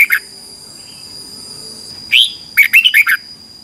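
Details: Red-whiskered bulbul in competitive morning singing, recorded to train other birds: a brief note, a long quiet gap, then one rising slurred whistle and a rapid cluster of four or five warbled notes, over a steady high tone.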